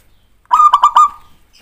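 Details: Zebra dove of a local type giving a lure song meant to draw a reply: one short phrase of four or five rapid, throaty coo pulses that run together and trail off, with no other sounds.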